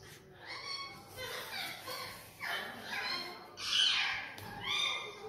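Sulphur-crested cockatoo giving a run of nasal, speech-like phrases, then two loud, harsh, rasping screeches about a second apart near the end.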